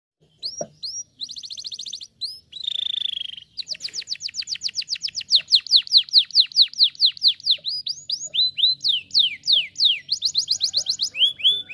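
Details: A canary (Serinus canaria) sings a long, varied song of high, rapid trills, buzzy rolls and sweeping whistled notes, changing phrase every second or two.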